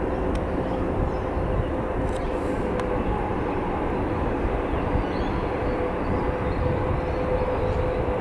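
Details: A steady broad drone of passing vehicles or aircraft fills the recording, and no animal voice stands out.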